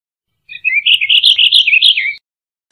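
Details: Purple finch singing a continuous, rapid warble of clear, slurred notes that bounce up and down in quick succession for under two seconds, then stop cleanly; quiet background otherwise.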